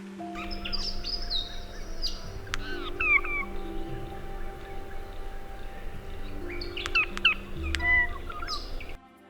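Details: Regent Honeyeater in the Blue Mountains, New South Wales, Australia, singing an odd variant derived from the Blue Mountains dialect, found where density is low: sharp metallic clinks, quick falling whistles and gurgles over a steady low musical drone.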